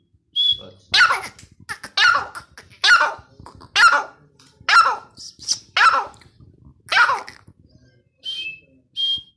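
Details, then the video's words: Grey francolin calling: a series of seven loud, harsh, broadband notes spaced about one second apart, with a few thin high whistles from another bird at the start and end. "Grey Francolin Voice | Francolin Voice | Partridge voice"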